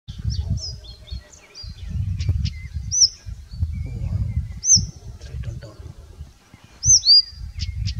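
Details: Blyth's reed warbler singing in Finland: high, arched whistled notes with short chirps, spaced a second or two apart, over steady low rumbling wind noise.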